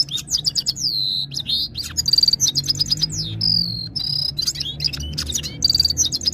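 A red-fronted serin sings a fast, unbroken jumble of high twitters, trills and sweet slurred notes, with a faint low hum underneath.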